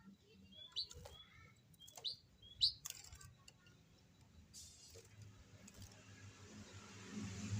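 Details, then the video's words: Restless white-headed munia uttering three high, thin, sharply inflected chirps in quick succession, followed by a rustle and soft hissing background noise. "BURUNG EMPRIT KAJI GAK MAU ANTENG"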